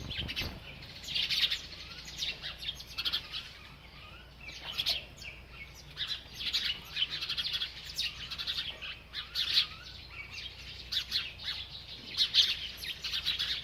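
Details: Bird that won't stop eating and chirping: a long stretch of high, bright chirps in irregular bursts, short trilled runs and brief pauses, with light clicks and rustles.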